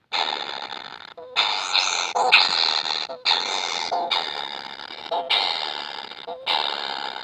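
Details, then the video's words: Young kingfishers begging for food make repeated loud, scratchy, hissing rasps, each roughly a second long, with short breaks and occasional soft clicks between them. "BABY BIRD KINGFISHER ‼️ YANG TAK PERNAH KENYANG ATAS MAKANAN"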